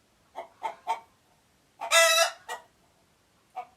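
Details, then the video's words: Chicken giving alert calls: three short clucks, then a loud harsh broadband squawk, a brief follow-up note and one more cluck. "Alert Chicken Noises"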